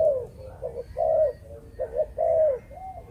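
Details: Spotted dove from Malaysian breeding stock cooing in chụp chụp ô style: short double notes then a sustained, slightly falling coo, repeated twice in quick succession.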